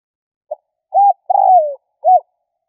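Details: Spotted dove lure call: a soft short note, an arched coo, a long quavering coo sliding down, then another short arched coo.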